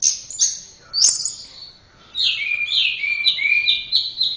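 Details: Orange-headed thrush (anis merah) song from Indonesia, offered as a training song for other songbirds. Loud, high, sweet phrases: a few bright whistled notes, a short pause, then a continuous rapid warble of slurred, trilled notes, with no other sounds.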